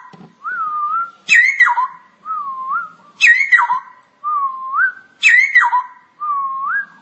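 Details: Cucak rowo (straw-headed bulbul) master song in chattering 'ngoceh' style: a steady alternation of soft, level rising whistles with loud, bright notes that jump up and then tumble down, repeated about every two seconds.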